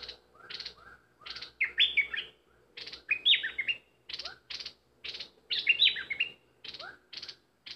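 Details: Bulbul singing energetically from a decoy cage used to attract wild birds: short raspy chips repeated at intervals, broken by three richer phrases of bubbling, descending whistles.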